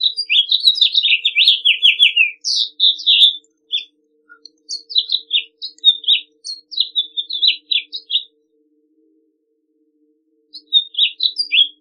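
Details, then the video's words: Long, rambling House Finch song: bursts of rapid, varied warbling full of high chirps, upward sweeps and buzzy downslurs, broken by short gaps, with a quiet steady low hum underneath. "I will show you the song and the main characteristics of the House Finch. Enjoy it."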